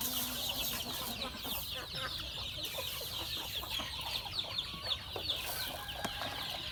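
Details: Farm chickens at feeding time give a steady mass of high, short cheeping notes from many birds at once, over a hissy, noisy background.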